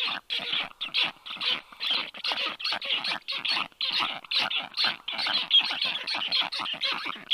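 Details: Black stork nestlings at a nest on 4 July 2022 at 1:30 p.m., begging after a strange black stork landed above; harsh, hissing, rasping bursts repeated about twice a second in an uneven rhythm.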